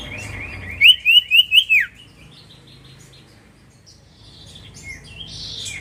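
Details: Common iora lure song meant to trigger an instant answer: a buzzy lead-in, then five strong whistled notes at an even pace, the last sweeping downward, followed by faint chirps and a low hum.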